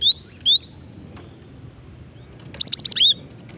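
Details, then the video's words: Calls of a female cinereous tit, used to bait other birds into answering: two rising, whistled high chirps, a pause, then a fast burst of four sharp notes ending in a falling slur. "Ampuh memancing bunyi gelatik batu betina ini"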